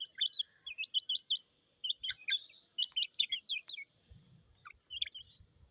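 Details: Chicks chirping with thirst: a steady series of piercing, high, slightly downslurred peeps in close clusters, with a brief pause midway and soft low rumbling near the end.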